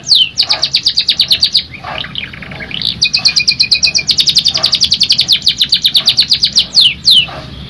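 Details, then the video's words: Canary pouring out a sustained song of fast, even trills of sharp high notes, broken by short whistled slides and rolling passages. "CANARY SINGING"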